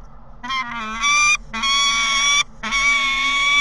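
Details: Peregrine falcon screaming at the nest with visitors: harsh, strongly harmonic wailing screams in three long bursts of about a second each, split by brief gaps and growing louder.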